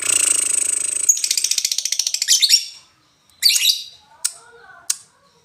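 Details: Lovebird finishing a ngekek rattle: dense high buzzy chatter giving way to fast pulsed notes that fade after about two and a half seconds, then a harsh burst and two sharp ticks.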